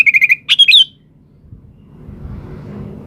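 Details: Sooty-headed bulbul, said to be a gacor, vigorous singer, opens with four quick, evenly spaced chirps followed by a short liquid whistled flourish, then fades into soft rustling background noise.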